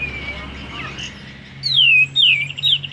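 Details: Sooty-headed bulbul kept as a home lure bird, singing well though not yet spreading its tail: after a quiet start, two loud, clear downslurred whistles followed by a short trill.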